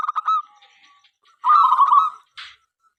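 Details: Local zebra dove singing to invite other doves. A brief stuttered opening, a soft faint pause, then one full rolling coo and a short buzzy note at the end.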